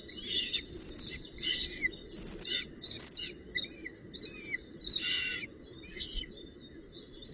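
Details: At the nest, a female northern goshawk arrives with a branch and prey on 19 June 2018. A rapid, irregular run of high squeals and short upslurred whistles, about eight notes. Low hiss underneath.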